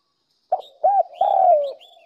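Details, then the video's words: A spotted dove decoy call, used to lure other doves and stimulate them to coo, coos three times, low and soft: two short notes, then a longer one that slides gently downward. "Tiếng cu mồi"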